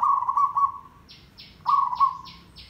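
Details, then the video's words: Zebra dove in full, dense 'derak' rattling song, used as a lure for trapping: two rolling, pulsed cooing phrases about 1.6 s apart, with a series of repeated high, downward-sweeping chirps from another bird between them. "Merbok Tandang Derak Lebat - Perkutut Gacor Pancingan Ampuh - Suara Mikat Perkutut Merbok"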